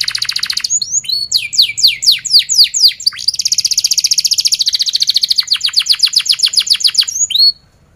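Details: Canary training song for young birds: sweeping down-slurred notes in quick series, then a long fast rattling trill, ending with a single rising whistle before silence.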